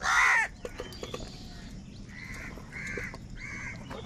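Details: Crows squabbling over food give one loud, hoarse caw at the start, then three shorter, fainter, nasal caws spaced about half a second apart over soft background chatter.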